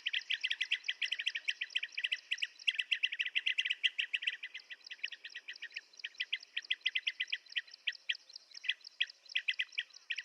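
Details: Blue-tailed bee-eater calls: dense runs of short, bright chirping notes repeated rapidly and steadily for ten seconds, slightly thinning after the midpoint, with no other clear sounds.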